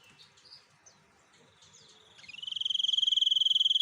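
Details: Gacor singing of a white-breasted sniper bird: soft scattered chirps, then a loud, fast, even buzzy trill of high pulses from midway to the end.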